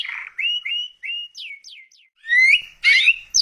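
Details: Canary singing vigorously, recorded as a tutor and lure song for other canaries: short whistled phrases near the start, then a few quick descending slurs, a brief gap, and louder buzzy, rising notes at the end.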